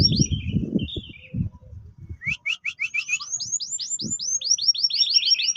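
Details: Orange Loper canary in the roll and tembak song style: a few high chirps, then rapid bursts of sharp notes running into a quick series of bright down-slurred whistles, with low knocking sounds early on.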